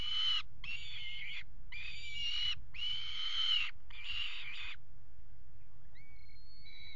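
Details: Peregrine falcon pair at a water tower nest box, mating on the edge, February 2018: five loud grating wails in quick succession, then a pause and a thin, faint whistle, with low background hum.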